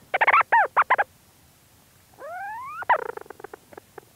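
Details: Leach's storm petrel calling from its burrow, recorded close up: a quick burst of stuttering, harmonic chattering notes, a pause, then a smooth rising tone that breaks into fading rapid clicks.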